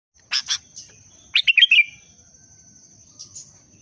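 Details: Sooty-headed bulbul (kutilang) in breeding condition, a 'pendongkrak' booster sound: two short chirps, then a quick bubbly cluster of four whistled notes, and a faint later note, over a steady high electronic whine.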